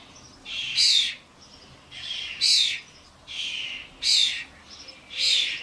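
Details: Common starlings, adults with fledglings, at a garden suet feeder. Four harsh, hissing screeches rise sharply and fade, spaced roughly every one and a half seconds against quiet background.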